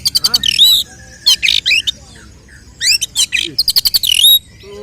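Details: Oriental magpie-robin fighting song to incite other males: bursts of rapid sharp clicks ending in swooping whistles, separated by short pauses with softer chirps.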